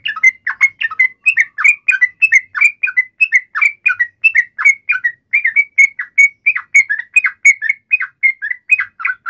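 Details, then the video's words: Yellow-vented bulbul in an agitated fighting call, meant to provoke a response; a long, steady stream of short bubbly whistled notes, around four per second, with nothing else heard. "trucukan gacor CUK EMOSI NGALAS TARUNG ROPEL ini MENJADIKAN agar burung trucuk gacor NYAUT SEKETIKA"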